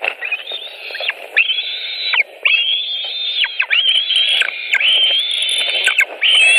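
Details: White-tailed eagles at their nest in Latvia, 5 July 2018, evening delivery at 21:05: a steady run of high, shrill, sustained whistled squeals, each about a second long and falling away abruptly at the end.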